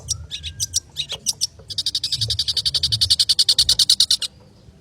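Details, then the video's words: Long-tailed shrike singing vigorously in the fast, dense 'konslet' style: a few sharp high chirps, then a rapid train of about twenty-five buzzy, evenly spaced high notes accelerating for over two seconds before stopping. "Cendet konslet gacor speed rapat"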